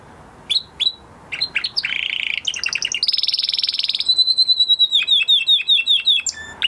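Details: Canary, male, singing after moulting: sharp chirps, a low buzzy rattle, a very fast high trill, then a long whistled note breaking into repeated falling notes.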